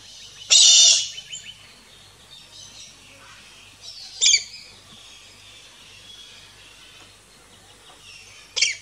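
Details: A Galah in an Australian backyard gives three harsh, grating screeches, the first long and the next two short, spaced about four seconds apart over a quiet background.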